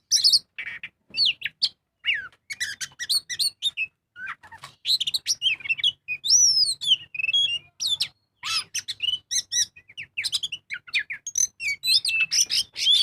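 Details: Oriental magpie-robin in non-stop 'gacor full ngobra' singing for luring birds into song: a long, varied stream of piercing whistles, harsh squawky notes and chattering trills with few gaps.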